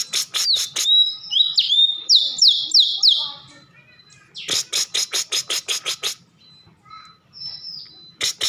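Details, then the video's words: Cucak cungkok bulbul singing actively, mixing rapid runs of sharp, clicking chatter notes repeated several times a second with short high whistled slurs. "Burung cucak Cungko Gacor"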